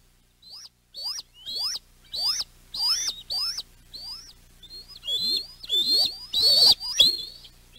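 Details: Young male bald eagles at their West End nest on 7.6.23, calling in alarm as their mother arrives with a fish: about a dozen high, sharp chirped notes that rise and then drop, given in a quick, uneven series and growing louder toward the end.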